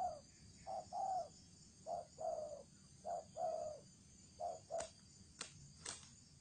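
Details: Decoy spotted dove singing in the 'thổ trần' cooing style: low, mellow coos in short-then-long pairs, repeated about five times at an uneven pace, followed by a few sharp clicks near the end.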